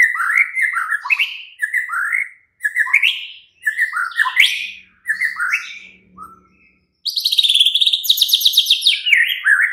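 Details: Night-time Oriental magpie-robin song meant to draw a caged bird into answering: short whistled phrases repeated after brief pauses, then a loud burst of rapid, high buzzy trilling to the end.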